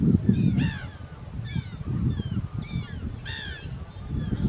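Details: Mediterranean gull, a second-calendar-year bird, on Vlieland, Friesland, the Netherlands, 24 August 2024: loud harsh nasal calls with rich overtones, several in quick succession, over steady low rumbling wind or surf noise.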